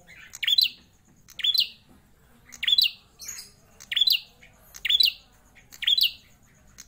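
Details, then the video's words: Loud, busy song from a prinia kept in a cage for more than four years: six bright, twisting chirps, each with a quick rise and fall, repeated almost exactly once per second. "Prenjak klawu gacor, suara lantang"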